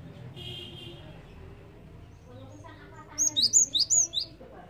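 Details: Java sparrow calls used as a lure for catching birds. A quiet, murmuring background gives way near the end to a tight burst of six sharp, high chirps in quick succession.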